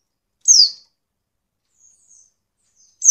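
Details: A female Oriental white-eye calls to encourage males to sing: one clear, high downward-sliding note, a few faint soft chips, then another strong note starting at the end.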